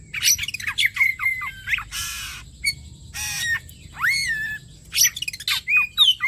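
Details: Bait song of an Oriental magpie-robin, played so other magpie-robins answer: rapid bright chirps and whistles, two long harsh hissing rasps, a swooping rising-falling whistle, then more quick twittering notes.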